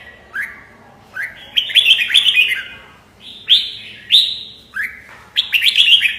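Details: Red-whiskered bulbul song made of rising whistled notes, some single and some strung into rapid warbling flourishes, spaced irregularly over a soft background hum.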